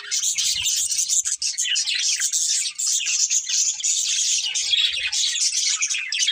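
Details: Breeding pair of budgerigars producing an unbroken stream of high, scratchy chirps and warbling chatter, with a couple of faint low thuds.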